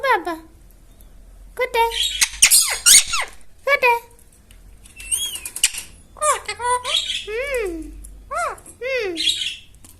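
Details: Pet talking parrot kept indoors in a small room, its mimicked speech-like phrases coming in short bursts with rising and falling tones, mixed with sharp squeaky whistles and high chirps.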